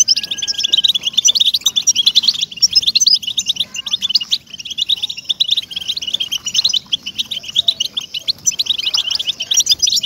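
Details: Motivational European goldfinch song for captive birds: a long, busy outpouring of tinkling, twittering notes and brief trills, delivered almost without breaks over about ten seconds.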